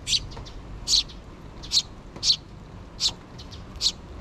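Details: Two sparrow chicks still in the nest, begging their parent birds for food with the mother nearby, recorded 6 June 2023; harsh, buzzy high chirps come in short bursts about every half second to second, over faint low background hum.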